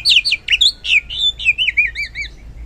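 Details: Oriental magpie-robin in loud, open song, a lure for reluctant singers: a rapid, rich warbling phrase of looping, rising and falling whistled notes, gradually softening toward the end.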